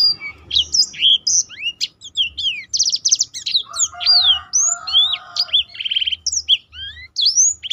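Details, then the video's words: Black-throated canary in full song, used as a master for training and to set other birds singing; fast varied high whistles, buzzy rattles and rising slurs, with a lower warbling voice in the middle. "burung blackthrout lain pun ikut tergoda berbunyi."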